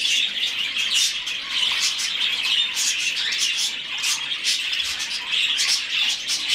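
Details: Budgerigar chick begging while hand-fed, with nonstop high squeaky chirping and harsh squawk-like bursts in rapid succession, indoors.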